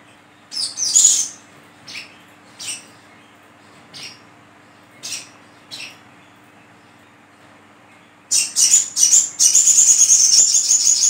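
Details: Olive-backed sunbird, its sound used as a lure for catching birds: scattered thin, high chirps spaced one to two seconds apart, then a burst of rapid notes running into a dense, continuous high trill.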